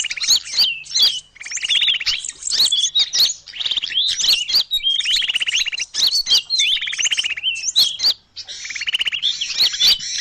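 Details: Small birds in a lure recording: dense, rapid high chirps and twittering with many short clicks, plus a buzzy trill near the start of each burst, with constant overlapping notes and brief pauses.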